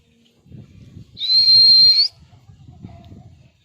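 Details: Pet parrot described as angry lets out one loud, nasal, buzzy screech lasting nearly a second, steady in pitch and rising at the end, over soft low murmuring.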